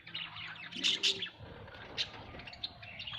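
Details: Budgerigars kept at home giving bright chirps and tweets, a burst of loud squeaky notes followed by scattered shorter chirps and warbles.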